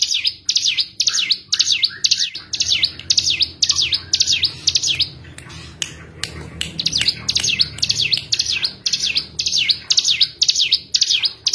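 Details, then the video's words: Cigun song used as a lure to make a bird that has stopped singing sing again: high, sharp, V-shaped chirps, about two per second, briefly broken by clicks near the middle, with a low hum underneath. "pancing cigun kurang emosi paling ampuh menaikkan mental cigun macet bunyi agar kembali bunyi gacor"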